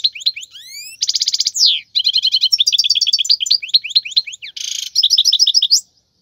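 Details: Young goldfinches are meant to learn from this wild European goldfinch song: rising slurred whistles, a dense buzzy trill, then a long lively stream of rapid chirps, twitters and a harsh nasal buzz.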